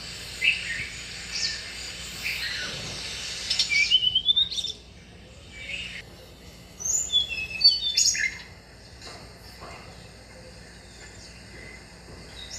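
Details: Tickell's blue flycatcher at a bird bath gives two phrases of high, thin, tinkling whistles several seconds apart, each a quick jumble of short notes, with a few soft taps and faint hiss between.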